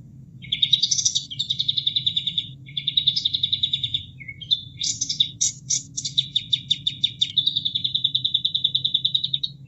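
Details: Sooty-headed Bulbul song for tutoring cage birds: loud, sustained rattling trills of rapid pulses broken by brief pauses, a short low whistle and a few sharp accented notes, over a steady wash of water.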